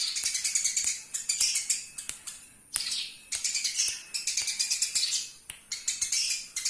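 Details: Local master recording of Eurasian tree sparrow, used for training birds, full of busy high chirps packed into bursts of about a second, separated by brief lulls.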